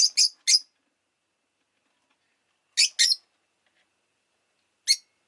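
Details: Rosy-faced lovebird gives shrill, high chirps in short groups of three, two and one, with silence between the groups.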